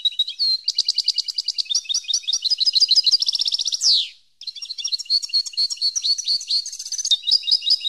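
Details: European goldfinch song, a recording for training captive birds: rapid twittering, tinkling notes with fast trills and a descending buzzy slur near the middle, then more rhythmic chattering phrases and a high trill; no other sounds.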